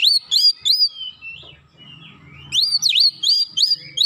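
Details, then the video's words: Kacer, or Oriental magpie-robin, in dense 'nembak rapat' song used as a training master: clear whistled notes rising and falling sharply, about three per second, broken by a brief quieter gap with a low hum. "terapi masteran Kacer nembak rapat"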